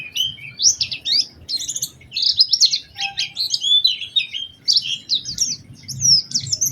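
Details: Oriental white-eye singing a lively lure song to prompt other white-eyes: dense, continuous high twittering of quick chirps and warbled slides, with a brief low tone near the middle.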